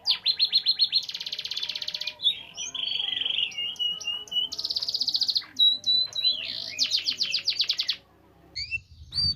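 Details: Trained canary singing to teach other canaries: stuttering buzzy trills, a flat whistled passage, rapid pulsed rolls and brief high notes, ending with a short pause and a low thump.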